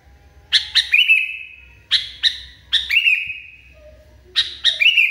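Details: Highly agitated sooty-headed bulbul repeating the same phrase four times in five seconds: two or three sharp, clipped notes, then a drawn-out, level whistle. Light low hum, no other birds.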